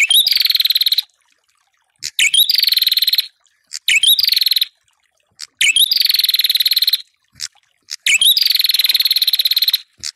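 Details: Repeated Ashy tailorbird song meant to rile rival birds, with five bursts of rapid buzzy pulsed trilling, each starting with a short upward-flicking note, interspersed with brief sharp chips and short gaps.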